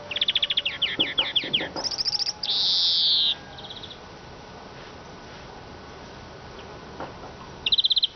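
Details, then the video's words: Siskin pouring out quick repeated high chips, then a loud sustained wheezing buzz, a pause of near quiet, and a final short trill. "iskete kusu sesi"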